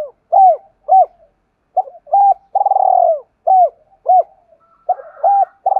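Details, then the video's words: Spotted dove cooing, played to provoke other doves into calling: short, low, hollow coo notes repeated in quick groups, one longer drawn-out purring coo in the middle, clean quiet background. "tiếng cu gáy thúc cực đỉnh mở 100% là gáy"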